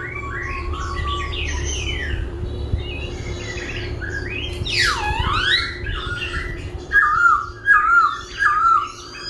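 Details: A laughingthrush sings while dancing and keeps changing its voice: sweeping slurred whistles, a loud falling-then-rising swoop, then a run of rapid warbled trills, over a faint hum.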